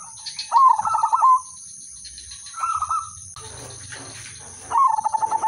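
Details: Melodious lure song of an udanmas silver zebra dove for prompting other doves to sing: three bursts of fast pulsed coos, the middle one short, with a brief noisy rustle between them and steady hiss.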